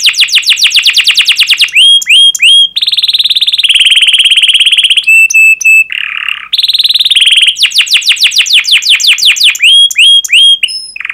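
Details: Singing canary, played to stimulate canaries in training: long sequences of rapid descending chirps alternating with buzzy rolled trills, steady whistles and a brief harsher note, continuous and loud throughout.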